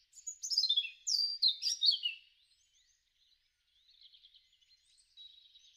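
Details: Robin song in a spring garden, March–April 2013: a cascade of high descending whistled notes and trills over two seconds, then faint scattered twitters.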